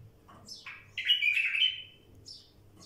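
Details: A wild bulbul gives a short rising chirp, then a loud sweet warbling phrase of about a second, ending with a thin high note.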